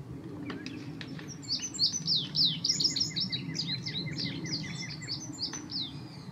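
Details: Song of an indigo bunting seen this week while still completing its molt: a rapid series of high, sweet, paired notes over a steady low rumble, with a fainter lower repeated chirping alongside and a few clicks.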